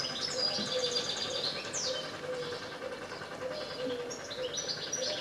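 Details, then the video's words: Singing European goldfinch giving a fast, jumbled twitter of high chirps, trills and slurred notes, broken by brief pauses, over a constant faint background hum. "Carduelis Carduelis Singing !"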